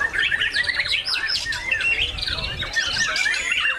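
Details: White-rumped shama, a contest bird shown bowing while singing, giving a dense, varied run of whistles, slurred notes and chattering phrases, with background noise.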